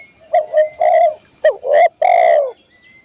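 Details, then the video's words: Cooing of a spotted dove, meant for training caged birds. A few short soft coos lead into two louder drawn-out coos, the last sliding slightly downward. A steady high ringing tone sits in the background. "masteran burung tekukur/derkuku"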